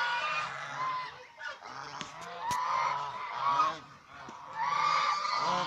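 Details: A group of domestic swan geese gives rough, nasal honks in rising and falling bursts. Calls run together with brief lulls, and a sharp click is heard midway.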